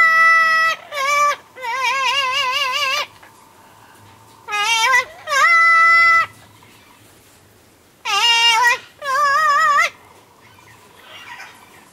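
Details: Captive double yellow-headed amazon singing late at night at a parrot zoo in the UK: loud wavering, vibrato-laden tones, wobbling up and down, in bursts of one to two seconds separated by short pauses, with faint background hum.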